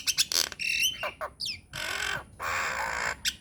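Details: Myna recorded as a lure to draw replies from other mynas: harsh broadband squawks and screeches, a twisting whistled note, and two long rasping hisses separated by short pauses.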